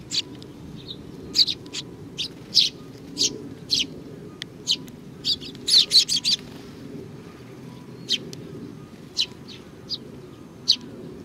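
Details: Sparrows at a Tenmangu shrine in Japan, recorded 4 July 2019: a busy run of short, high chirps, many overlapping around the middle, then scattered single chirps over a low steady background hum.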